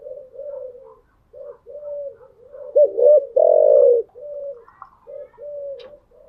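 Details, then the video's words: Spotted dove cooing in the morning, a kept bird: low, hollow coos in a broken series of short and drawn-out notes, with two louder, fuller coos in the middle and a faint click near the end. "Tiếng chim gáy buổi sáng"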